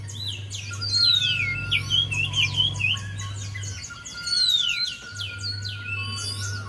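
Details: Javan white-eye song played as a lure to get a quiet bird singing: dense, rapid twittering with high, sliding whistles sweeping downward, continuous for most of the stretch, over a steady low electrical hum.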